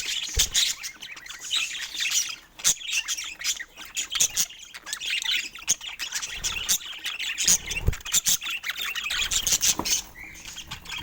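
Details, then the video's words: Pet budgerigars in a pair bond keep up a constant high warbling chatter of squeaky chirps and trills, broken by frequent sharp clicks and taps. "Cute Budgies in Love 💕🐦 Sweet Chirping Sounds That Bring Joy"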